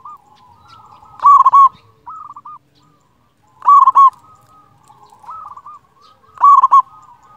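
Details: Local Zebra dove with a loud voice, song used for training silent birds: three loud rolling coo bursts about two and a half seconds apart, each followed by a softer, clipped series of coos.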